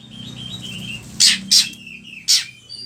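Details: Oriental magpie-robin used as a lure sound for training birds: soft whistled warbles broken by three loud, harsh, rasping bursts, then a thin high whistle.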